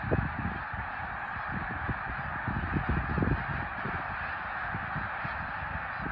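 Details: Middle Creek snow geese, 2022: an unbroken mass of overlapping honks, accompanied by frequent low thuds and wind-like rumbling.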